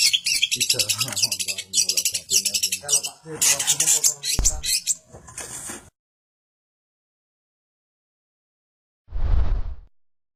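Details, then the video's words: A Long-tailed shrike in Samarinda, Kalimantan, pours out a fast, scratchy run of high chattering notes for about six seconds while people talk over it, then a dull thump. "Cendet Gacor"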